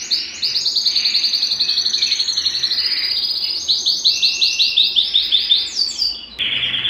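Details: Belgian canary in full song to excite males and bring females into breeding condition, sustained fast trills shifting to louder pulsed rolling phrases, ending with a steady whistled tone.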